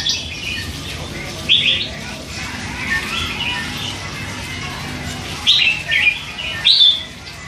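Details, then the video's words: Three-month-old hand-raised red-whiskered bulbul in captivity: a few spaced, clear warbled notes stand out above a soft continuous murmur of quieter chatter and background noise. "นกกรงหัวจุก ลูกป้อน 3 เดือน ปากเบาสุดๆ"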